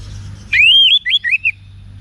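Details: Orange-headed thrush in North Bali, recorded for training cage birds; a long sweeping whistle that rises and falls, followed by three short wavering whistled notes, with low hum behind.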